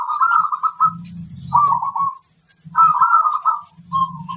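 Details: Local wild-type zebra dove singing vigorously as a master song for tutoring birds: repeated purring, bubbling coo phrases at mid pitch, each about a second long, with soft low thumps and rumbles between them.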